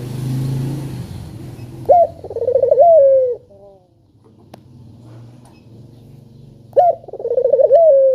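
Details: Spotted dove repeating its clear call to lure reluctant doves into voice: twice, about five seconds apart, a crisp upward note, a throbbing trill and a long sliding coo, over low rumbling background noise.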